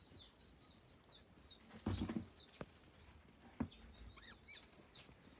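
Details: White eared pheasant chicks giving thin, high chirps in short rapid bursts, with a few soft thumps and rustles between them.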